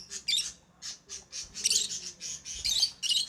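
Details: Lovebird chirping continuously with rapid, piercing, high-pitched squeaks and chatter, notes packed closely together, growing busier toward the end.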